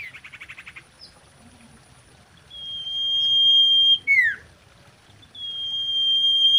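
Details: Common iora singing, a lure used to attract and stir mating birds: a quick rattling trill, then long level whistles broken by a steep falling slur.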